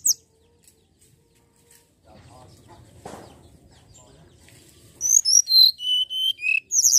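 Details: Common iora song played as a lure to draw birds into singing: after quiet rustling, a loud burst of clear whistled notes stepping downward from very high to mid pitch, ending with a short high trill.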